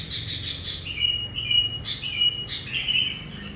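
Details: Sooty-headed bulbul singing gacor, kept as a decoy that has lured hundreds of its kind; brief buzzy chatter leads into a string of clear, steady whistled notes.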